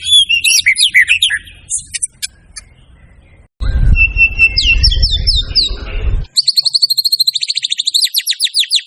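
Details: A white-rumped shama with a rich repertoire sings scratchy chatter, looping whistles over a patch of loud rumbling noise, then a fast ringing high trill repeated many times.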